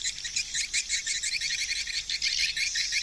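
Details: Hundreds of swiftlets manoeuvring around a swiftlet house; dense high chirping and twittering from many birds at once, rapid overlapping notes forming a continuous busy chorus.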